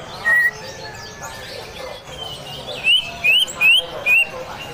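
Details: Greater green leafbird, a lively singer, giving harsh besetan-style song: one high whistle, a pause, then four quick upslurred whistled notes in a tight burst, over a steady trickling-water background.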